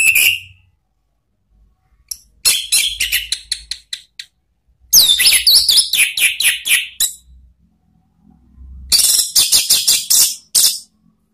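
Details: Orange-headed thrush used as a lure for training cage birds, with ngeriwik-style chatter. A brief whistle gives way to long runs of rapid, high, scratchy chirps in several bursts, with soft low bumps between them.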